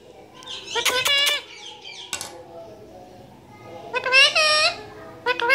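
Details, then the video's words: Talking parrot mimicking Urdu/Hindi words indoors: two clear, strongly harmonic spoken phrases about three seconds apart, each roughly half a second long, with a short click between and a clipped syllable at the end. "Speaking Parrot Talking in Urdu/Hindi"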